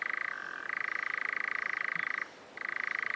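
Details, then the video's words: A European nightjar (Caprimulgus europaeus), a nocturnal bird, churrs in a fast, dry, mechanical trill; the pitch dips briefly early on, and a short pause breaks the otherwise continuous reeling. "Голоса птиц. Козодой (Caprimulgus europaeus)"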